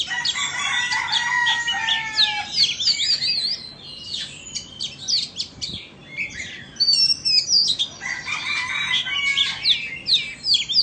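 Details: A Vietnamese and an Indonesian Oriental magpie-robin compete in song, trading long clear whistles, falling slurs and crisp chips, quieting briefly midway before another vigorous burst of varied phrases.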